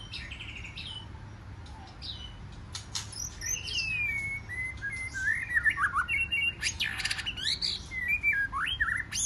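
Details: White-rumped shama, a wild-caught bird singing in competition in the forest-voice style. After a quiet start, it delivers varied whistled phrases with swooping slurs, short trills and some harsh chattering notes that build in loudness.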